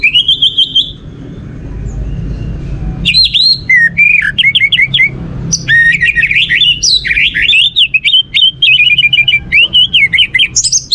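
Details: Orange-headed thrush, its song played to rouse other birds into singing: an opening whistled trill, a silence, then long energetic strings of varied whistles, slurs and rapid repeated notes.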